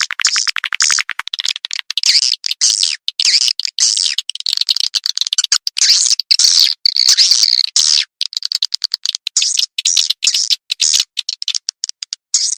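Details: Edible-nest swiftlet attraction call from a tweeter speaker: rapid dry ticking at first, then long runs of buzzy twittering with short gaps throughout.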